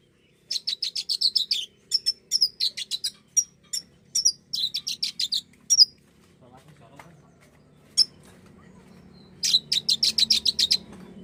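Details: Common iora sound used to trigger a bird's song: long series of rapid, high, clipped notes in clustered bursts, then a lull with low background murmur, ending with another fast run of sharp notes.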